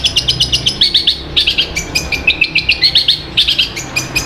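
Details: Long-tailed shrike of the Sapudi type, mimicking other sounds in its song: rapid, loud chirping notes repeated about every fifth of a second in bright, sharp bursts, with brief pauses between phrases.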